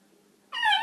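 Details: Loud, sustained harmonic scream from a talking macaw, starting abruptly after near-silence and holding steady for almost half a second, with a woman then scolding the bird for yelling.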